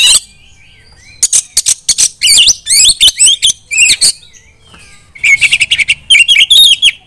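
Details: Female white-rumped shama calling other shamas to sing: loud bursts of sharp, looping whistles and rapid chattering notes, some rising and falling quickly, broken by short pauses and a few softer downslurred whistles.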